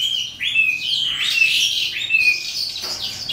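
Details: Eastern calandra lark singing at the close of the day: a rapid jumble of chirps mixed with clear drawn-out whistles and harsh scratchy bursts, delivered without a break and with quiet surroundings.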